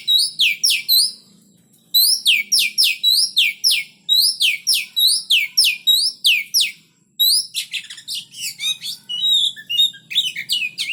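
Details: Oriental magpie-robin in a square or hanging cage, being paired with a mate for breeding. Loud, high, sharply descending chirps repeat in quick bursts, with brief pauses, then shift to busier, more varied notes near the end.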